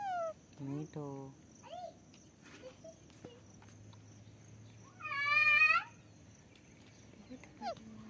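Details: Alexandrine parakeet making brief harmonic calls early on, then one loud, drawn-out, rising-and-falling squawk near the end. A faint low hum continues in the background.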